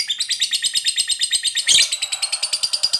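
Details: Lovebird of the fighter type giving a long chatter (ngekek panjang) used as a lure to provoke other lovebirds to sing; rapid harsh chattering notes repeated about eight times per second, with a brief louder burst near the middle.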